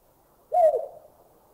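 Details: Collared scops owl giving a single soft, low hoot that swells then tails away slightly, about half a second long, against a quiet background; recorded in a Thai national park (Khao Yai, Doi Intanon, Doi Suthep-Pui or Chae Son).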